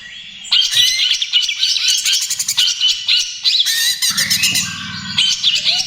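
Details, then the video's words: Greater green leafbird, cucak ijo trotol, in loud varied song used as a lure and therapy for other birds: harsh squawky notes mixed with rapid buzzy trills and bright whistles, with a low steady hum in the background. "SUARA CUCAK IJO TROTOL GACOR, AMPUH UNTUK PANCINGAN DAN TERAPI"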